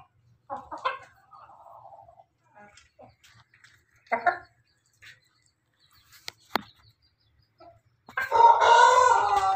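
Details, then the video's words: Pelung rooster: scattered short clucks and soft calls give way to a loud, harmonic crow that begins near the end and is still going when the recording stops. "su pelung jago suara ayam jago ketawa"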